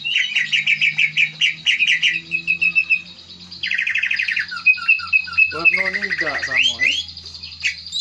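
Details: Green leafbird lure song, meant to prompt a bird to sing its repertoire: rapid repeated buzzy chatter, then a cascade of varied warbles, trills and descending slurred notes, dense and continuous.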